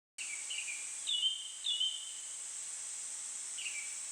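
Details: Japanese thrush or White's thrush singing in Japanese satoyama countryside on a day hotter than body temperature: short clear whistled phrases sliding downward, several in a few seconds, over a steady loud high insect drone.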